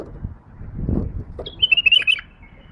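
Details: Female pet bulbul, tame, with a few dull thumps and rustles followed by a loud, rapid phrase of sharp whistled notes that bounce up and down before fading.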